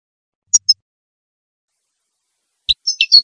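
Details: A female European goldfinch sings in the breeding season, a song said to motivate males to sing and mate: two thin, high chirps, then after a pause a quick burst of bright, tinkling twitters.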